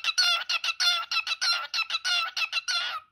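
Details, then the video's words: Cockatiel calling in a rapid run of about sixteen short, harmonic-rich notes, each clipped and evenly spaced, forming a steady chattering series lasting three seconds with no other sounds. "ببغاء الكوكتيل الحبشي ( الكروان)"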